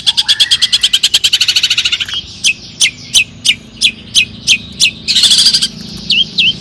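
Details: Long-tailed shrike lure song, played to make other shrikes sing: a fast rattling trill of high notes, then spaced sharp descending whistles, a harsh rasp, and two looping whistles.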